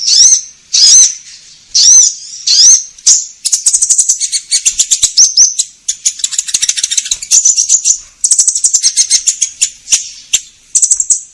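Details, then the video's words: Caged orange-headed thrush in full song, played to provoke other birds into answering: a few high whistled slurs, then long runs of fast, rattling, chattering notes packed tightly together. "Pancingan Konin Gacor Langsung Nyaut"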